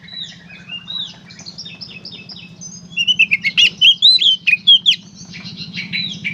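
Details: Gacor konslet song of an Oriental magpie-robin. Soft mixed twittering builds into a loud series of clear, looping whistled notes about two per second, over a persistent low buzzing hum.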